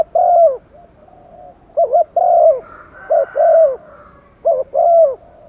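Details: Spotted dove decoy calling wild doves in, its phrases of short paired notes and long falling coos coming in quick succession, with a softer second dove audible behind.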